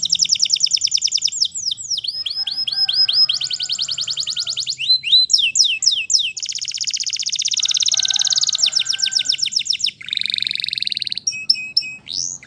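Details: Canary singing in the wild: a long run of bright, rapid trills and rolled tours, each section changing to a new repeated note, some sweeping down, some buzzy and fast, with a faint low hum underneath.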